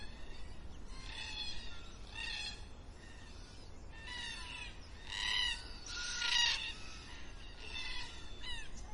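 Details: Black cockatoos at dusk give a series of short, nasal, harmonic screeches in spaced bursts, some quieter and more distant. A louder, harsher call near the end stands out over faint low background noise.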